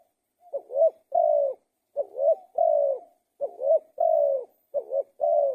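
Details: Spotted dove song. Four evenly spaced phrases, each a soft dipping double coo and then a long, full, slightly descending coo.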